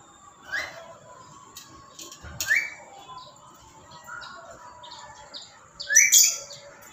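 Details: A tame black-capped lory gives loud, harsh rising squawks and shrill screeches in bursts about every two seconds, with a few softer chattering notes between.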